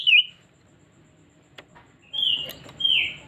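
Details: Oriental magpie-robin song as a lure to draw out a bird's repertoire: a short high whistle, then a quiet gap with faint clicks, followed by two drawn-out, slightly rasping whistled notes.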